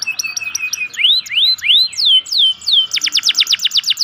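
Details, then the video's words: Local canary singing a prompting song meant to get lazy canaries singing. Quick chirps are followed by looping rising-and-falling whistles and a closing run of rapid clipped notes. "pancingan kenari lokal untuk kenari malas bunyi"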